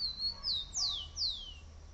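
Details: Wild bird singing to attract a female: four clear high whistled notes, the first two short and level, the last two loud descending slurs, with quiet low background rumble.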